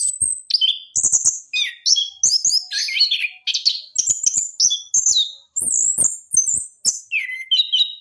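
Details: Orange-headed thrush of the trotol variety, kept as a training lure sound: a fast, varied song of sharp whistled notes, slurred rising and falling phrases and short chattering bursts, mostly high-pitched, delivered in quick successive bursts with brief pauses.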